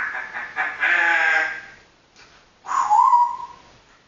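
An African grey parrot talks in a burst of raspy, voice-like syllables, then after a short pause gives a clear, rising then level whistled note.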